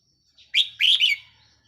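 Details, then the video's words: Red-whiskered bulbul kept as a caged decoy bird, recorded 4 May 2023, giving one short bright phrase of three quick, slurred whistled notes, the middle one loudest, in an otherwise quiet setting. "เสียงนกต่อ นกกรงหัวจุกแก้มแดง"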